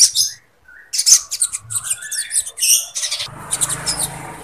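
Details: Sogon singing lovebird phrases for training birds and stirring breeding readiness; high buzzy chirps and quick twittering mixed with lower sliding whistles, then fainter chatter over a low background hum.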